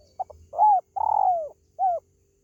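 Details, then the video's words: Spotted dove calling, a recording used to lure pet birds: two quick clipped notes, then a full falling coo, a long rough-textured coo that slides downward, and a shorter closing coo, in an otherwise quiet setting. "SUARA PANGGILAN BURUNG TERKUKU"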